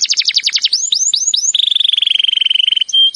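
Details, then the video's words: Canary training song: a rapid series of descending notes, four rising whistles, then a long steady rolling trill ending in a flat tone. "Birds song Canary ❗suara Burung Kenari !!"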